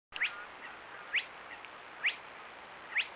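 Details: A singing Spotted Crake at Otmoor RSPB reserve, Oxfordshire, gives its sharp, rising whiplash 'hwitt' note, repeated about once a second. Four notes come in quick succession over a quiet background.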